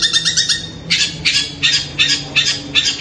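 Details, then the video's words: Night-time calls of a long-tailed shrike, said to sound like a kuntilanak: a brief rapid chatter followed by loud grating rasps repeated roughly every half second. "Malam malam ternyata Cendet ini suara kuntilanak"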